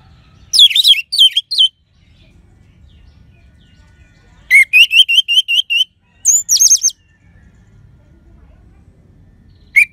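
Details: Orange-headed thrush with a clear 'crystal' voice, singing as a lure for birds that have stopped singing: a rapid jumbled phrase, a series of six evenly spaced short whistled notes, then another quick burst, separated by near-silent gaps.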